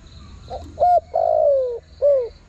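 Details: A single spotted dove phrase for luring wild birds: soft lead-in coo, louder hooted coo, an extended gently falling croon, and a last short drooping note. Light insect noise in the background.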